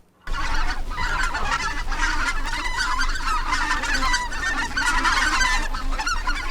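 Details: In winter, a flock of bean geese flies overhead above the icy Imjin River, heard from a high cliff, giving a dense, unbroken chorus of overlapping nasal honks over a steady low rumble of wind or water.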